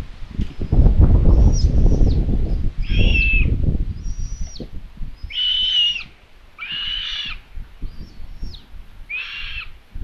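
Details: Nestling common buzzards in Tiszalök, Hungary, 27 May 2022, calling at feeding time as the mother arrives with food; a run of wheezy, even-pitched calls, with thin higher descending whistles and early rustling, flapping noise.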